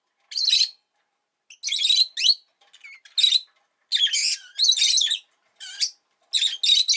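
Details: Rosy-faced lovebird at home giving repeated harsh, high-pitched screechy chirps in bursts about every half to one second, with a few softer squeaks between.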